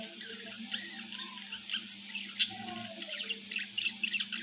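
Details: Pet budgerigar kept at home, giving soft, continuous chattering warble of rapid high squeaks and short twittering notes, with one sharper click midway, over a steady low electrical hum.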